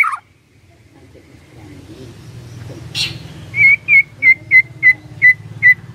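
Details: White-rumped shama lure song, meant to make a silent shama answer: a series of seven short, clear whistled notes, evenly spaced about every half second, over a steady low engine rumble with passing vehicle noise.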